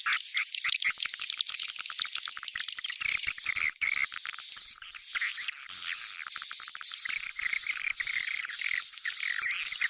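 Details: Lure track of swiftlet calls, Tarik Onar style, meant to attract swiftlets for farmers: a busy crackle of clicks and chirps giving way to rhythmic chattering bursts with thin whistled sweeps on top.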